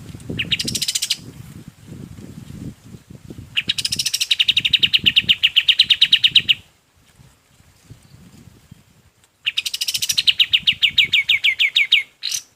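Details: Golden-bellied gerygone song used as master song for other birds: three bursts of quick, sharp, high notes, the longest running about three seconds, with low rumbling noise between the phrases.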